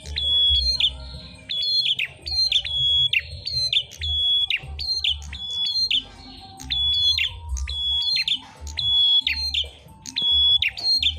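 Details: Prenjak merah prinias in a singing duel, sounding off as tutor song for other birds: sharp, high whistled notes ending in quick chips, repeated about every second in bursts over a low background rumble.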